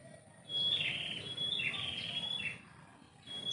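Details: Sweet high chirps from a bird perched in a tree in a home's yard at morning, two short twittering phrases followed by a quieter gap and a final note, steady faint whine underneath.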